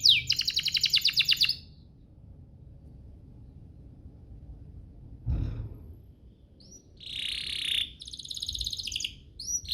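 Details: Canary singing to provoke other canaries into song: a fast high trill at the start, then several seconds of near quiet with a low thump, before more buzzy trills and short rising notes return.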